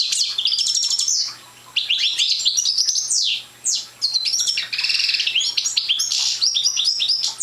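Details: Immature European goldfinch, race Parva, practising its incomplete song: dense liquid twitters, buzzy rolls and clear whistled notes in long bursts with two short breaks, sounding fuller and louder throughout.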